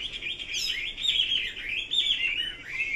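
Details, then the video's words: Chinese hwamei singing a continuous, rich warbled phrase of slurred whistles that rise and fall without pause, loudest in bursts about every second, over a quiet background. "Kicau burung Hua Mei"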